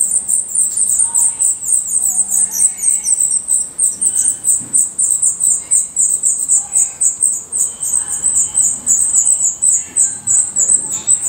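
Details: Dense, fast chorus of thin, high squeaks at a black redstart nest in Portugal, pulsing nearly four times a second without pause.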